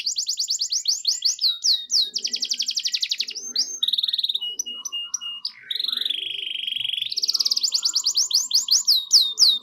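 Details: Energetic canary song for prompting silent canaries to reply: fast repeated sweeping notes, clipped trills and a long steady buzzy tone, then another burst of rapid rolling chips.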